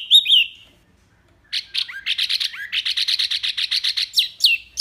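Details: Wambi mini song: a brief high note, a pause, then a rapid burst of sharp, high chips, about six per second, ending in a few downslurred whistles.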